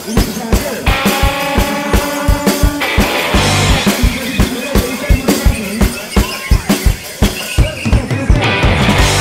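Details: Drum-heavy music with a steady fast beat, bass, layered instruments and some voices, with no animal sound heard.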